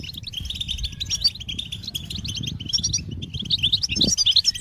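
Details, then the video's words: European goldfinch (Carduelis carduelis) singing: rapid, bright twittering of short high chirps and trills, quickening toward the end, over a low rumbling background with a brief thud near four seconds. "Goldfinch motivating songs"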